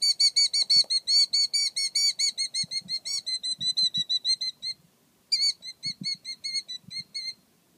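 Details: Protective male Killdeer defending the nest with a long rapid volley of piercing high notes, roughly three per second. A brief gap follows, then the shrill repeated calling resumes against soft low background rustle.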